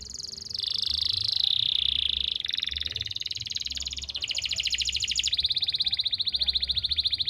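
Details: Canary master song from Pati, Central Java, played so other canaries, including young ones, start singing: a chain of fast trills that dip lower, then rise again into several distinct high rattling rolls in succession.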